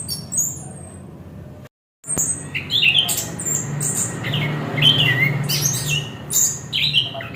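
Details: Orange-headed thrush singing: varied high whistles, sharp chirps and short slurred phrases in quick bursts, broken by a brief silence near two seconds, over a steady low hum.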